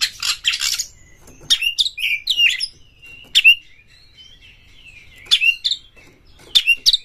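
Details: Caged Oriental magpie-robin from Indonesia, roused to fight a rival and singing. Harsh scratchy chatter opens; later come paired notes, a rasp plus a clear downslurred whistle, repeated with quiet thin whistles between.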